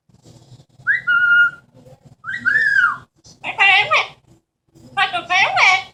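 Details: Pet Amazon parrot indoors, talking and imitating sounds: a clear whistled note, a rising-falling whistle, then two harsh, buzzy speech-like phrases in quick succession.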